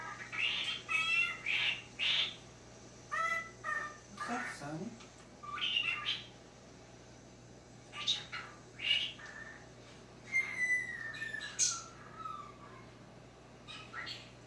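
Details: Pet talking cockatiel indoors in a dim room, watching itself on screen for the first time: scattered short chirps and squeaky notes with a long descending whistle near the end, amid steady background hum.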